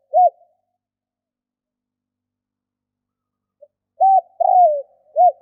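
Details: A spotted dove coos: one short hooting note, a long silence, then a short note, a longer slurred falling coo and a final short note. Still, quiet background.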